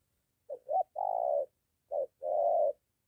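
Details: Spotted dove in Gia Lai, Vietnam, near a home. A molting decoy bird in training meets a wild dove. Two quick clipped notes lead into a long, hoarse, even coo, then one short note and another drawn-out coo. The background is silent.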